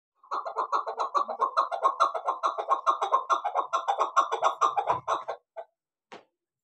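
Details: A Chukar partridge kept as a hunting decoy bird calls in a fast, steady run of harsh clucking notes, about two per second for five seconds, ending abruptly, followed by a couple of faint knocks.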